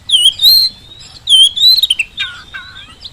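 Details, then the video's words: Short burst of Oriental magpie-robin song used to draw answers from silent magpie-robins; two loud rolling whistled phrases followed by two clear descending whistles. "kacer gacor pancingan kacer malas bunyi saat di rumah maupun di lapangan jadi cepat nyaut"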